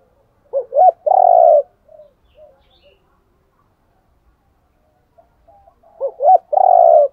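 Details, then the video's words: Male and female spotted doves calling as decoys to stir up trained birds: two quick hooting notes and a drawn-out vibrating coo, a few faint murmured notes in the gap, then the same phrase again near the end. "tiếng chim cu gáy thúc đấu. cu gáy kích bổi nhanh nổi gù, chim cu mồi giọng hay dùng tập bổi"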